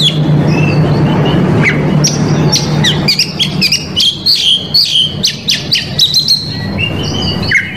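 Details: Indonesian Oriental magpie-robin song, packed with filler phrases and meant to lure and provoke a rival male. It opens under a broad low rumble, then comes a loose run of sharp whistled notes and chips, roughly three or four a second.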